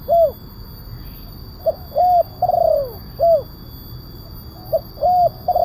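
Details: Spotted dove with a big voice in the kuk 1 style, used as a calling lure for wild doves: low hollow coos, a short note, a long arched coo, then a falling quavering coo, repeated after a pause over a quiet hum.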